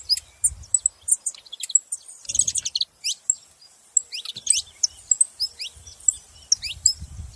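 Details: Saffron finch making noise: a lively stream of piercing chirps and sliding high notes in irregular bursts, with soft low thuds in the background.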